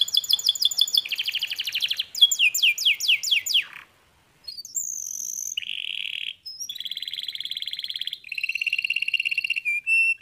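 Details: Canary song: rapid descending slurred notes, then a pause, followed by a series of long, rolling trills at differing pitches, each held for one to two seconds, with short breaks between them.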